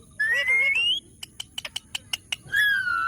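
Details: Pet green ringneck parrot whistling a steady, slightly rising tone, then a quick series of about eight dry clicks, then another long level whistle.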